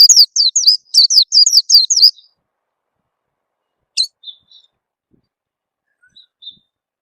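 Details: Oriental white-eye calls used as a lure to make birds sing: a fast burst of high down-slurred chirps lasting two seconds, followed by a sharp tick and a few faint soft notes in near silence.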